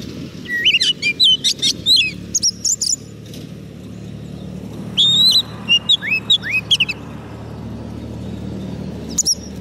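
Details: White-rumped shama, fed on soft food, singing to call in wild birds: loud whistled phrases with rising and falling slurred notes in two bursts, a lone note near the end, low background hum.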